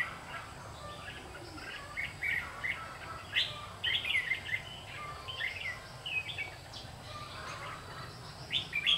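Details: Red-whiskered bulbul decoy singing during trapping to provoke fighting; bursts of quick liquid whistled notes and short warbles, several phrases spread through the recording over constant low hum.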